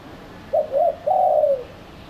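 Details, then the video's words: Dove-attracting lure of a spotted dove: a short coo, a slightly longer second coo, then an extended hollow note that drops gradually in pitch and fades. "Pikat terkukur"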